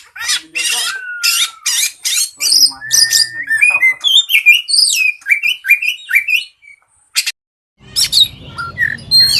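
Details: Oriental magpie-robin of the poci type in gacor competition singing (nembak, ngeplong, ngobra), meant to provoke rivals: loud, varied song of whistled slurs, sharp chips and buzzy bursts, a short pause near the end before singing resumes.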